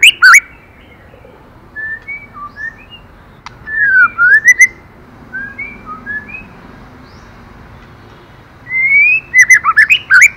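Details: Female white-rumped shama singing to stimulate the male: clear whistled notes that slide and sweep in a few short phrases, with sharp bursts of rapid, ringing notes at the start and end, over quiet background hiss.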